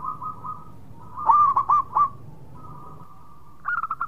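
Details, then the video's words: Perkutut lokal, a zebra dove, gives a soft trilled lead-in followed by four loud hooked coos in quick succession, then a brief closing burst of rapid notes, over a low background hum. "Perkutut Lokal Gacor Suara Mewah"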